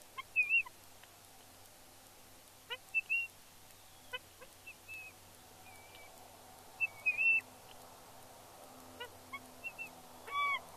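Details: Young female bald eagle near her Big Bear nest on fledge day, 31 May 2022, excitedly squeeing at the sight of the male arriving with fish: repeated high, thin whistles, short slurred notes in loose bursts with pauses between.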